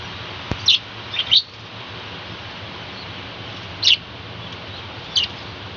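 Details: Budgerigars in a small colony kept on a balcony, morning: a few short, sharp chirps in quick pairs, then spaced single chirps a couple of seconds apart over a steady background hiss.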